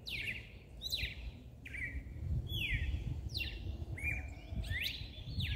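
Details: Double-collared seedeater giving the mateiro song used to stimulate males: a series of downward-sweeping whistled notes repeated about once a second, each with a harsh falling tail, over steady low background noise.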